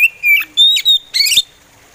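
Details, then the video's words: Oriental magpie robin in slow song, giving a string of loud, pure whistles: a level drawn-out note, then higher sweet notes and a brief rough burst, with short gaps between phrases. "SUARA SLOW ORIENTAL MAGPIE ROBIN"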